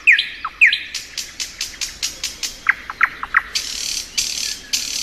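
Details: Thrush nightingale singing in spring: two sharp downslurred notes, then a quick series of dry broadband clicks, closing in a buzzy, rattling flourish.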